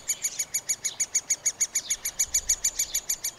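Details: Chicks of the middle spotted woodpecker calling from their nest cavity during feeding, recorded with a Panasonic FZ2000: very regular, bright, high squeaks, nearly six per second, clean and steady.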